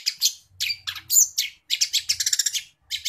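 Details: Long-tailed shrike singing with house sparrow mimicry: bursts of harsh chirps and scratchy notes, a fast rattling run of clipped chirps near the end, short pauses between phrases.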